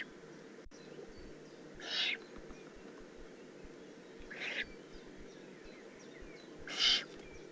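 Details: A young Eurasian eagle-owl in the Eifel on 18 June 2016 gives three breathy, grating hisses, the middle one fainter, spaced about two and a half seconds apart over soft background chirps.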